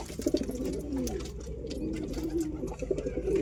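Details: Pigeon cooing indoors in a small room, a low, throaty, rolling coo that continues through the clip with slight rises and falls, plus faint clicks and rustling in the background.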